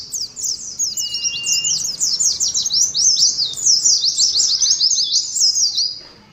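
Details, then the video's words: Caged Oriental white-eye pouring out ngalas competition song, an unbroken torrent of very high, rapid slurred notes with a brief level whistle near the start, fading at the end. "TERAPI ADU NGALAS SAAT KOLONI PLECI"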